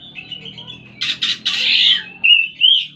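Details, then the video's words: Oriental magpie-robin giving a sustained whistled note, then three rough, buzzy bursts and two bright rising whistles. "burung kacer"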